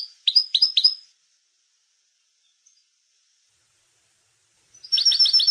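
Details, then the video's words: European goldfinch song in the maknin style, used to tutor young goldfinches: a short burst of three sharp twittering notes, a long silence, then a fast tinkling trill of ringing notes. "chant maknin pour écolage jeune chardonneret"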